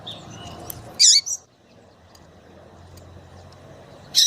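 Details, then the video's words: Chirping female double-collared seedeater ('piadeira'), used to get males singing: one loud, high, rasping chirp with a short follow-up note, then a pause of nearly three seconds before another sharp chirp; soft low rumble behind. "FÊMEA DE PAPA CAPIM PIADEIRA PARA DEIXAR SEU PAPA CAPIM DOIDO PARA CANTAR LOGO!"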